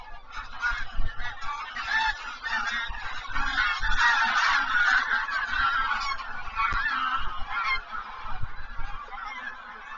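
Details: A flock of geese passing over the Zastawie reservoir on 17 September 2023 makes a dense, continuous chorus of overlapping honks and cackles. The calling swells in the middle and fades slightly toward the end, with steady low background noise.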